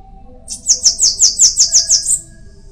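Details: Single song phrase of a bananaquit: around nine rapid, very high-pitched hissing notes in an even series, ending in a thin drawn-out note.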